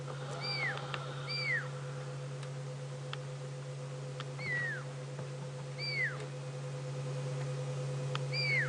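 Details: Fork-tailed drongo at Djuma Game Reserve, South Africa, on a late-afternoon safari drive on 26 June 2016, mimicking a pearl-spotted owl's territorial whistle: clear rising-then-falling whistled notes in pairs about every second, over a steady vehicle engine hum.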